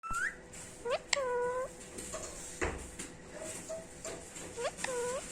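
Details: A 3-year-old female rose-ringed (ring-neck) parakeet talks, saying "Mitho". She gives a few short, tonal, voice-like syllables, some sliding downward, spread over about five seconds in a quiet room.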